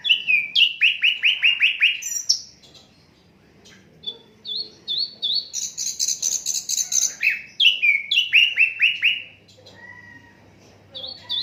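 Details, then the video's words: Asian brown flycatcher song for tutoring songbirds, unedited: opening run of repeated falling slurs, quiet gap, then chips, a high buzzy trill and another rhythmic series of descending notes. "Sikatan londo durasi 15 menit, Reall No editan, cocok buat masteran semua burung"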